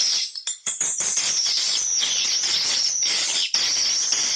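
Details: Swiftlets calling in a lure recording meant to attract them to nesting houses; high, rapid chirps pour out almost without pause, a thick overlapping chatter with short breaks near the start and around three and a half seconds.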